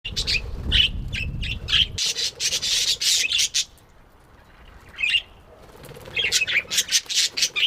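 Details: Happy budgerigar chirping: bursts of rapid high chattering notes and squawky chirps, with a quiet pause in the middle before lively chatter resumes, plus some low rumbling noise at the start.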